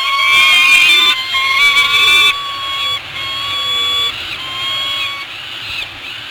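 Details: Peregrine falcon chicks at a nest on Anacapa Island, 15 May 2018, beg with harsh, drawn-out, slightly wavering cries, overlapping almost without pause, as they are fed big mouthfuls; steady background noise underneath.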